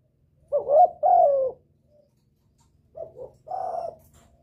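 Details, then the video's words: Spotted dove calling to draw in a male, a lure for wild birds: a grouped 'cru-croo' with a long sliding second note, a short pause, then a softer two-part coo with a sustained low ending. "Tiếng chim cu gáy gọi kích bổi, gọi trống"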